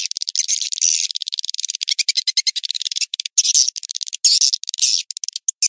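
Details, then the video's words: Swiftlet lure call for attracting birds to a swiftlet house in Indonesia: dense rapid trains of high, buzzy clicking chirps, broken by short gaps and brief rattling bursts. "suara panggil walet paling viral 2022"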